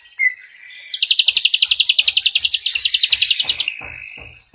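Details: Ashy drongo opening with a single short whistle, then launching into a quick, high trill of crisp repeated notes, about nine a second, lasting nearly three seconds over faint low thumps.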